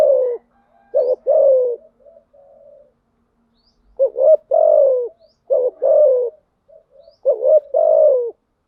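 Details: Lure calls of a spotted dove, thúc gù and gáy gọi styles, used to excite decoy birds: four low cooing phrases, each a brief stuttered note then a drawn-out downward-sliding coo, with a soft murmur between phrases.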